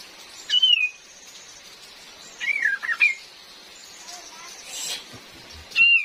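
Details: Female cream-vented bulbul, used as a lure for trapping in the forest, with real rain: three short clear whistles, each sliding down and wavering, spaced apart over steady rain hiss.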